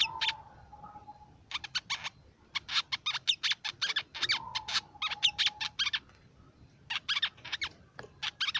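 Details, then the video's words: Crimson sunbird song, used to lure and tutor songbirds: dense runs of thin, high-pitched chirping notes packed into short bursts, separated by brief pauses, over a recurring flat, lower whistle. "Suara Pikat Burung Sepah Raja & Masteran Sepak Raja"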